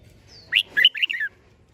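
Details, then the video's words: A single short, rich, warbling phrase from a red-whiskered bulbul in contest-style song, a high slur followed by four tumbling chirped notes that drop slightly at the end. "Chào Mào Hót - Kích Chim Hót Xung | Kích lên lửa mỗi ngày, thúc bổi siêng hót"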